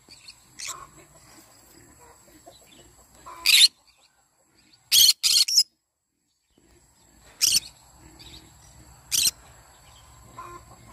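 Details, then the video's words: Yellow-sided conure in the morning gives a series of harsh, rasping screeches: one, then a quick double, then two more spaced a couple of seconds apart. Soft chirps and a weak note come early. The background is quiet. "Yellow sided conure singing sounds in the morning."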